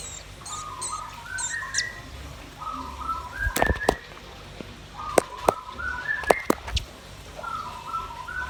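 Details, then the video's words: Red-billed nuthatch and white-rumped shama singing: clear whistled phrases that climb in short steps, repeated in bursts about every two seconds, with high chirps overhead and sharp clicking knocks in between. "Suara kicau burung rambatan paruh merah dan murai batu gacor"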